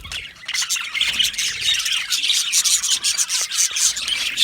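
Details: Happy aviary budgerigars start softly, then rise into a loud, busy chatter of squeaky chirps and buzzy warbles from many birds at once.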